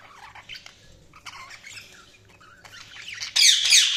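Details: Budgies chirp in short, scattered warbling bursts, then break into a loud, harsh, rasping squawky chatter for the final half-second.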